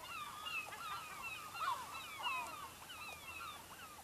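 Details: Dense chorus of gulls near a fishing village in Lofoten, Norway; many overlapping quick yelps and mews with no pause, a few nearer cries rising above the crowd.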